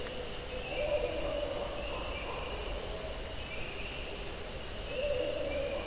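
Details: Barred Owl hoots at night in spring woods near a campsite, heard as low, muffled hoots in two short bursts a few seconds apart over a steady high insect-like drone and night hiss.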